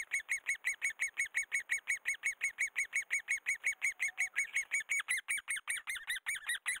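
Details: During breeding and chick-rearing, a great spotted woodpecker gives a fast, steady chatter of short, sharp, ringing notes, about four or five a second, growing louder and rougher near the end.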